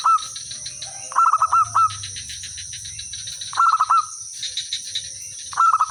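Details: Local village zebra dove singing steadily, used as a lure to draw answers from other birds; short bursts of four or five quick soft cooing notes, several phrases in close succession, over a constant high insect-like hiss and faint chirps.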